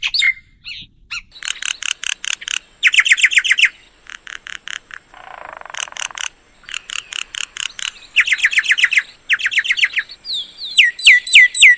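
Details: Old myna calling in runs of rapid, buzzy, chattering notes, several per second, broken by short pauses, with a softer hoarse note midway and sharp downslurred whistles at the end.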